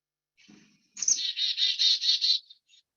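Black-capped Chickadee gives its namesake call: a quick high 'chick-a' followed by about six buzzy, harsh 'dee' notes in rapid succession. A faint low murmur sits underneath.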